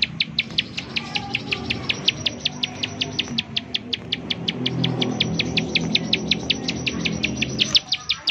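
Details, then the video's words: Bar-winged prinia in fast 'nembak' calling used as a lure for other prinias: regular high chip notes nearly three a second, set against a louder low rumbling background throughout. "ciblek sawah, nembak nembak untuk pancingan ciblek sawah agar bunyi"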